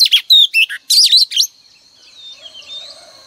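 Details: Female oriental magpie-robin used as a lure, its song played each morning to spur males to sing: a rapid burst of sharp, varied whistled and chattering notes lasting about one and a half seconds, then quiet with a faint high background hum.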